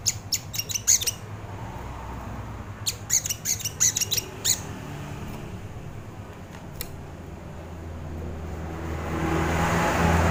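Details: Sogon bird song used as a lure or master recording for training birds: two quick rattling bursts of sharp, high chips near the start, one lone chip later, and a rising hiss of noise toward the end.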